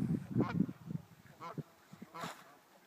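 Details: Geese on a lake at Winthrop in the morning, giving a few nasal, harmonic honks spaced about a second apart, mixed with low thumping and rumbling noise close by.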